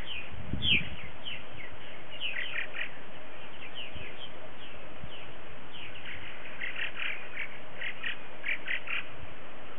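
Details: Purple martins gathered at their gourd colony for a morning social on February 28, 2018, some 60 to 70 adults arriving since early-February scouts; scattered bright chirps and gurgled notes in loose bursts, with steady wind hiss.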